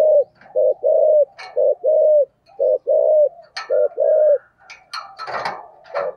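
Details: Spotted dove giving thổ-style song: low paired coos, short then long, repeated quickly. Sharp clattering knocks and rustling noises break in, growing busier toward the end.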